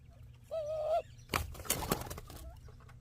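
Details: Dove at a bird feeder in the Sonoran Desert near Ajo, Arizona, giving a single steady mid-pitched coo with a slight waver, followed by rustling and clattering noises and a faint second note.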